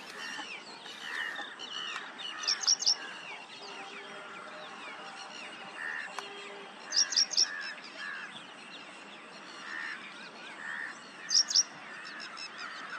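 Paddyfield pipit giving short, high, bright bursts of three or four quick notes about every four seconds, over a busy background of lower chattering birds.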